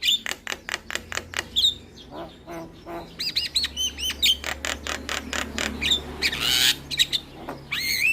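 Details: Javan myna song meant to prompt silent mynas to sing: clicking, rattling notes mixed with looping whistles and a brief hissing burst near the end.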